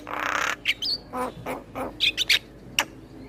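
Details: Male Asian pied starling singing, used as a tutor song for other starlings: a long harsh rasping note, then scattered croaking bursts and short sharp whistled chips.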